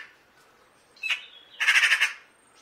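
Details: Eurasian magpie giving a brief harsh call, then a loud dry rattling chatter of about six rapid buzzy pulses lasting half a second, in a quiet setting.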